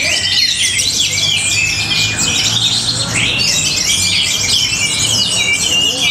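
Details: Matrix-style song of an orange-headed thrush from Tabanan, Bali: fast, unbroken high chattering, with twittering phrases and rising and falling whistled slurs crowded together, plus a faint low hum underneath.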